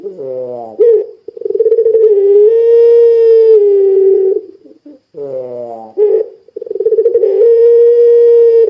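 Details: Puter pelung dove calling as a lure for other doves: two cycles, each opening with a quick falling warble followed by a prolonged, even, low-pitched coo lasting several seconds.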